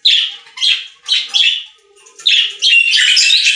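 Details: Budgerigars singing at a pet store: a series of short scratchy chirps about half a second apart, then a continuous buzzy chattering warble.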